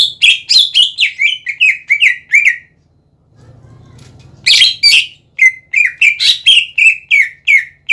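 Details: Energetic greater green leafbird song meant to goad other leafbirds: strings of loud whistled notes that drop in pitch, about eight per phrase, split by a brief pause with a low hum.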